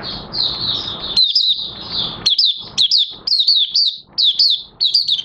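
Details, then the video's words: Kept Oriental white-eye (Mata Puteh Raja) beginning its song, recorded 30 August 2022 as pigmentation of its new white feathers nears completion. A thin high warble opens, then quick looping chirps repeat in short clusters over faint background hiss. "Mata Puteh Raja Buka Sing"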